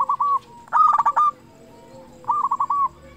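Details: Local zebra dove singing loudly as a lure for other doves: a soft stuttering coo, then a louder rough rolling phrase, then another softer run of clipped notes.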